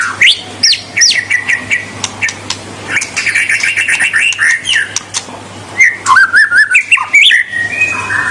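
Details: Murai batu, the white-rumped shama, in loud provoking song meant to rile rival birds: rapid varied whistles, sweeping slurs and sharp chips, with rattling trills and scratchy phrases repeated in quick bursts over a steady low hum.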